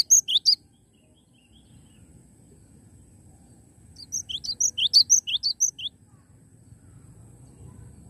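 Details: Cinereous tit singing energetically: a brief burst of high, sharp notes, then after a quiet pause a quick series of about ten paired chirps, a lower note rising into a higher one, over a faint low hum.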